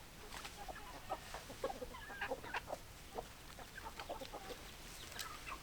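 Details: Chickens clucking in a run of short, sharp, separate notes, roughly three or four a second, with a faint noisy background throughout.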